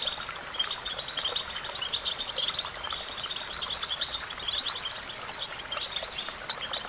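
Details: European goldfinch song used for training a bird to sing: rapid, liquid, high-pitched twittering phrases running almost continuously, with short tinkling note clusters over a constant soft hiss.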